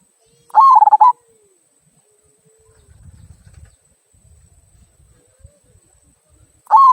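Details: Zebra dove of local stock delivering its 'kung' song, used to prompt others to sing: a bubbling trilled coo phrase near the start, a quiet stretch with faint low rustling, then the next phrase beginning at the very end.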